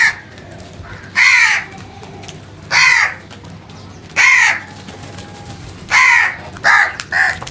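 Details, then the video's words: Crow calling loudly: a series of harsh, hoarse caws repeated roughly every one and a half seconds, five strong calls ending with a quicker double caw, over a steady low background hiss. "The Smart Crows Genuine and Natural Sounds loudly"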